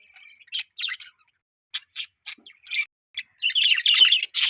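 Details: Parakeets giving short separate chirps and squeaky notes spaced through the first seconds, then breaking into a loud continuous buzzy warble at the end.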